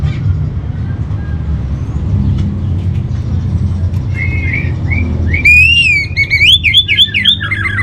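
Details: Orange-headed thrush master song for training, played to calm a caged bird's emotions and breeding drive: after a few seconds of low rumbling background, rising whistled notes build into a rapid run of looping, warbled phrases.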